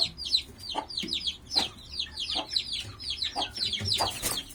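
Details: A brood of turkey poults reuniting with their separated broody mother hen peeps in rapid high, downslurred notes while the hen gives occasional low clucks.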